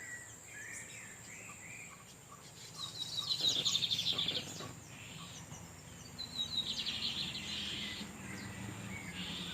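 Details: Female Lined Seedeater incubating on a nest in the wild, with Lined Seedeaters in the background exchanging song: two bursts of high, buzzy twittering a few seconds apart, over steady insect hiss and a faint outdoor murmur.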